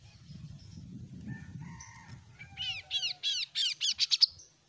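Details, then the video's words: An untrained Oriental magpie-robin just starting to sing: after low rumbling and a few steady faint tones, a burst of about nine arched notes speeds up and rises in pitch. "BURUNG KASOKASO BAHANAN YANG SUDAH MULAI BUKA SUARA"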